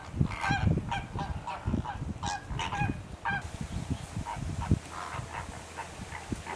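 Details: Greater flamingos visiting Rondevlei near Wilderness on the Garden Route: a flock giving repeated goose-like honking calls, overlapping and irregular, over a constant murmur of low grunts and background noise.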